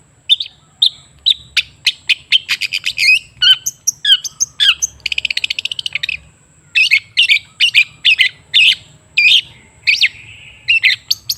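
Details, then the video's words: Long-tailed shrike song used to prompt a silent bird to sing: sharp chips and a fast buzzing rattle, then spaced harsh squawky notes repeated roughly every half second. "Suara TERAPI pancingan cendet macet supaya rajin bunyi..!!!"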